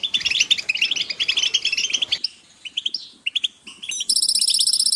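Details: European goldfinch group calls. It opens with busy overlapping twitters, goes quieter with scattered short chirps and liquid notes, then ends in a bright, even buzzy trill lasting about a second.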